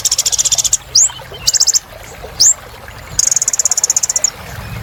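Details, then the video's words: Lively kolibri ninja sunbird song: a quick high rattling trill, sharp rising whistles with a short trill between, then a long even trill of about eighteen notes. "Kolibri Ninja Gacor Untuk Terapi Burung Macet Bunyi"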